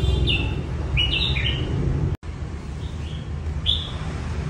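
A red-whiskered bulbul gives a few bright, quick whistled phrases, slurring up and down, over a steady low rumble of background noise.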